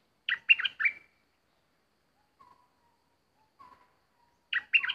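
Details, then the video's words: Bulbul kept as a decoy for trapping birds, recorded while an uninvited visitor arrives. A quick cluster of four sharp, bright chirping notes, faint low whistled notes in the gap, then the same lively phrase again, with otherwise quiet surroundings. "Burung merbah lekir bay hoach thom gacor bahanan"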